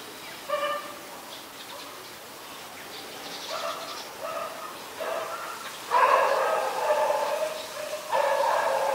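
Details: White-vented Myna in Ubon Ratchathani, Thailand, 16 February, giving harsh, nasal, chattering calls in irregular bursts, louder and denser toward the end, with a faint background hiss.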